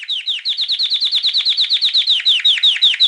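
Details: Canary singing one tour of quick, downslurred notes, each sliding from high to lower pitch. They repeat about six times a second in a steady, rhythmic series.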